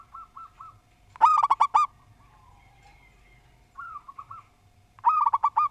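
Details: Singing local Javanese zebra dove: loud phrases of five to six throaty, rolling coos, with softer, more distant cooing phrases in between, a faint steady hum behind.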